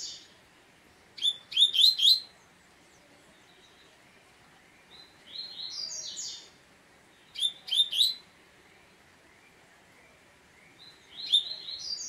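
A Double-collared Seedeater gives short bursts of bright, fast chirping notes and buzzy trills, with a phrase every few seconds and quiet pauses between.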